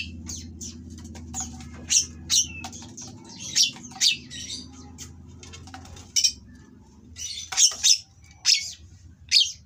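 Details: Caged Oriental magpie-robin in breeding condition, singing harsh material meant to provoke rival birds; loud, separate high sharp notes and short whistles burst out between pauses over a steady low hum.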